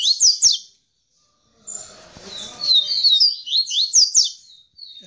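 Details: Double-collared seedeater of the tamborete song style, singing after mating with a female: quick high slurred phrase, a pause, then a longer run of buzzy descending notes, with faint room noise.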